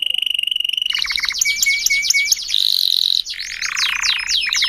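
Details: Domestic canary singing a cengkok-style song that the bird modifies itself instead of copying its tutor or nearby birds. It opens with a rapid dry trill, then loud downslurred notes, a sustained buzzy whistle, and fast rolling trills, all high-pitched.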